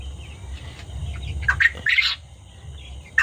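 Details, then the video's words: On a farm, a quail calls repeatedly after its companion was moved to the other side, giving a few short, bright chirps around two seconds in and one more near the end over a low hum. "এই যে কোয়েল পাখিটা ডাকাডাকি করছে কি জন্য জানেন?"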